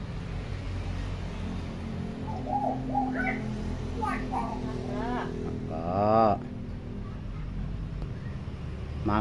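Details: Tame talking hill myna, said to copy any sound: soft chattering syllables build into one louder, harmonic, voice-like phrase near the end, over constant low background hum.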